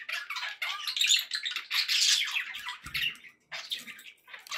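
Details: Pet budgerigars kept indoors, described as happy, chattering in dense bursts of scratchy, buzzy warbles and squawks mostly high in pitch, with a brief low thump near the three-second mark and short pauses.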